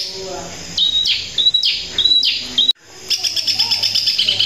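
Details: Long-tailed shrike in the 'tembakan kuntilanak' style: four or five piercing whistled shots, each sliding sharply downward, then a brief silence and a fast, buzzy, high chatter.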